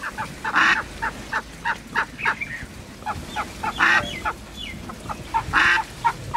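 Mallards quack in a loose, irregular series of short, harsh, nasal notes, several birds overlapping, with some louder raspy bursts among them.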